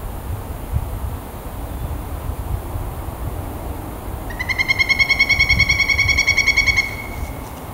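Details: Pileated woodpecker (Dryocopus pileatus), territorial call: defending territory.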